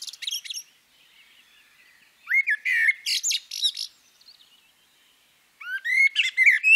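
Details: Female common blackbird: a short high twitter, a pause, then a sliding whistled phrase that breaks into scratchy high notes. A second, richer warble begins near the end. No background noise.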